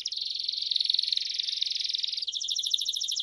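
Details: Belgian crested canary, calling, pours out a fast continuous rolling trill that changes after about two seconds into a higher, more clearly pulsed series.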